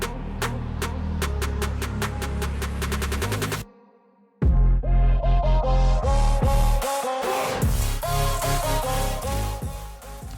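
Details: Electronic music with a steady, heavy bass beat and a brief silent break, with no animal sound.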